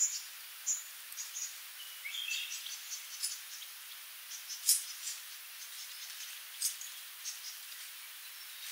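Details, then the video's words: Sooty babbler (Stachyris herberti) giving scattered high, thin chips and short twittering notes at irregular intervals, some in brief clusters, over a steady hiss of background noise with faint insect-like buzzing. "Tiếng chim Khướu đá mun, Sooty Babbler, Stachyris herberti [Bird sound]"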